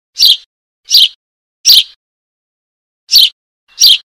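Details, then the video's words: Eurasian tree sparrow chick calling for its mother, begging: five short, harsh, high chirps, the first three about 0.7 seconds apart, then a pause of over a second before two more; clean background with no other sounds. "suara anak burung gereja memanggil induk mp3.baby sparrow calling for mom"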